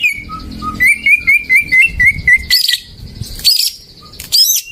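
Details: Greater green leafbird singing as a lure to get silent birds singing: a series of clear whistled notes rising and falling, repeated about twice a second, then high buzzy bursts with pauses between.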